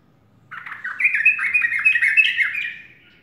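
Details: Sooty-headed bulbul in morning song, one rich, bubbling phrase of fast, wavering chirps that rises in loudness, holds, then trails off.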